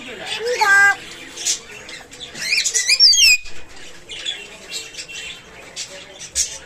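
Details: Pet talking myna kept in captivity: a mix of squawks, sharp warbled whistles and rapid squeaky chattering bursts with voice-like phrases, loud and irregular, with wing-flapping sounds and a person speaking nearby.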